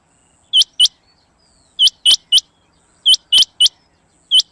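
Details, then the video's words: Rain Quail sound used for hunting: sharp, high, upward-flicking metallic notes in quick pairs and triplets, each group about a second apart, against a quiet background. "Rain Quail Sound For Hunting"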